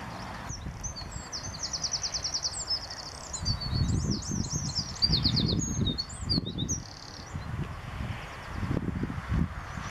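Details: Morning song of several Eurasian wrens at RSPB Saltholme, 01/04/2014, captured on a Canon SX50 HS camera: fast high-pitched trilled bursts and sharp twittering phrases, with low rumbling wind or handling noise underneath.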